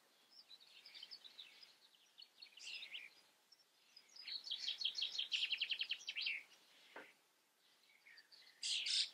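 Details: Common starling in the Eifel, Germany, singing a rambling medley of high chatters, squeaky whistles and a fast clicking rattle, ending in a sharp burst; no other clear sounds.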